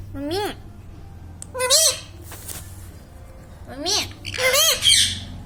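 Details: Parrot talking "mummy papa": drawn-out, rising then falling voiced syllables in two pairs with a long pause between, over a steady low hum in the room.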